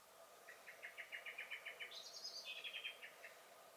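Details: Alarm calling from a common blackbird in a garden, May 2021: a steady string of hard chink notes that breaks into a brief higher, thinner trill before dropping back to lower chinks.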